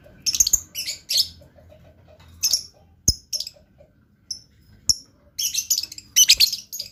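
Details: Blue lovebird, kept as a pet bird, giving a chattering song: bursts of high, harsh chirps and squeaky twitters in clusters, with short pauses between them and a quiet room background.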